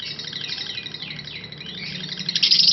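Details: Parblue lovebird giving a long ngekek chatter: a continuous, fast, high-pitched trilling stream of squeaky notes with sweeping rises and falls, growing louder and denser toward the end, with no other clear sounds.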